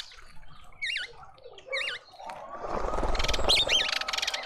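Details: Mousebirds in a suburban garden feeder in Pretoria, South Africa: two clear wavy up-and-down chirps a second apart, then a rising rumbling noise with faint high twitters over it.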